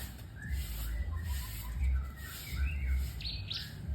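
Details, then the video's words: White-rumped shama producing soft, varied whistled notes that wander up and down, ending in two brighter sharp high notes, under a continuous low rumbling background hum. "Murai batu"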